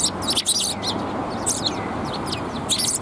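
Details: Several sparrows in red plum blossoms at a Tenmangu shrine, Japan, 4 March 2021, trading quick high twittering chirps, some with brief downward slurs, against continuous low background noise.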